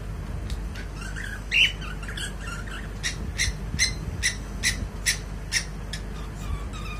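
A cockatiel sings a string of short, scratchy chirps and squawks, roughly two each second.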